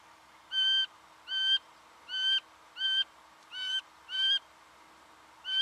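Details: In Victoria, Australia, November 2011, a Singing honeyeater repeats a loud, nasal, slightly rising note roughly every 0.7 seconds, seven notes in steady series over a quiet background.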